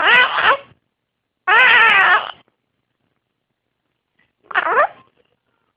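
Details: Baby blue-crowned conure kept as a pet, practicing its talking: four scratchy, wavering calls of about one second or less, in irregular bursts with silent gaps, the last cut off at the end.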